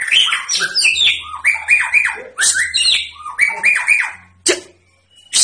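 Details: White-rumped shama described as a fighter ready for contest, pouring out loud chattering, scratchy phrases of quick mixed notes in bursts, ending with two sharp harsh calls.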